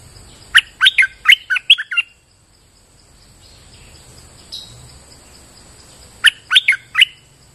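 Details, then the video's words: Bulbul singing on a rainy day: a quick burst of about six loud, sharp chattering notes, a pause of several seconds, then a second burst of four notes, over a steady high insect whine. "Suara pikat merbah lekir gacor"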